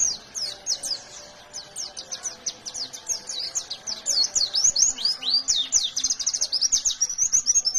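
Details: Chatty fighter white-eye singing in 'ngalas nembak' style, a long, dense stream of very high, rapid, slurred chirps that builds louder and busier toward the end, with no other sounds.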